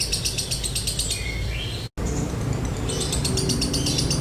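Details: Lovebird chattering in the dry-toned 'konslet' style, a training lure for other lovebirds: fast high ratcheting pulses, a brief sliding whistle, a short silent break, then the rapid chatter resumes over low hum.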